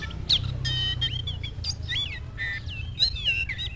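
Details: Oriental magpie-robin singing at a rival, clear upslurred and downslurred whistles with short buzzy notes, spaced phrases over a continuous low hum.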